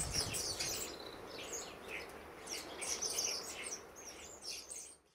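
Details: Busy autumn garden flock of common starlings, over 60 birds, October 2012; rapid high chirps and clicks in quick clusters with a few whistled notes, louder at the start, fading out at the end.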